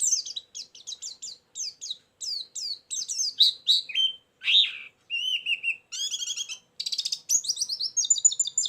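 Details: White-eye isian lure for catching birds: a run of quick, high downslurred chips gives way to varied whistles, a slurred phrase, and ends in fast, buzzy stuttering trills.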